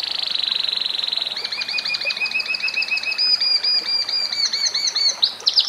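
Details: A canary (Serinus canaria) sings, opening with a fast, high buzzing trill, then rolling into quick repeated warbled notes and ending on a few sharp high chirps.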